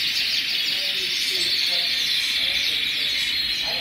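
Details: A large flock of colorful canaries singing at once, a steady shimmering mass of high twittering trills and rapid chirps blending into one unbroken chorus.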